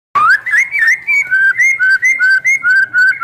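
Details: White-rumped shama song used to provoke other shamas into singing: a series of clear whistled notes near the same pitch, repeated about every quarter second in an even run, some rising, some flat.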